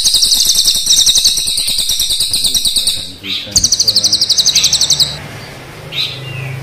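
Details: A kept crested jay (Platylophus galericulatus), black and brown birds compared, gives a long, fast rolling rattle of high, buzzy notes, about four per second, then a second shorter roll after a brief pause; faint low background noise.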